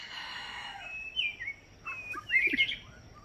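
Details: White-rumped shama on Kauai while a person whistles along: a few drawn-out whistles, then a short scatter of quick chirps and a bright twittering burst, with soft background hiss.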